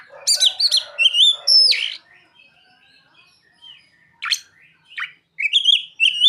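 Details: Oriental magpie-robin song with mimicked phrases of ciblek and sogon birds: loud bursts of sharp whistled and upslurred notes mixed with buzzy chatter, a quiet gap, then more clipped whistles and rising notes.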